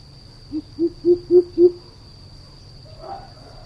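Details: A run of five low, booming hoots from a greater coucal, rising in strength and spaced about a quarter second apart, followed by a fainter, higher murmur. A thin steady electronic whine continues in the background.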